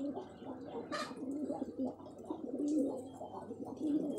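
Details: Domestic pigeons receiving vitamin medicine; repeated low, soft coos rise and fall, roughly one per second, with a short burst of noise near the start and light rustling.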